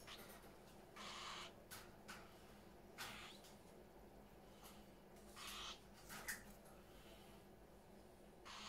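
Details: A house full of parrots gives repeated scratchy, broadband squawks at uneven intervals, some long and some clipped short, with a steady low hum underneath.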